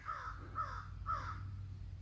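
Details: On an autumn morning on 23 September 2020, by a lake inlet in Trophy Club Park, Texas, crows among many in the background give three harsh, hoarse caws about half a second apart over a low wind rumble.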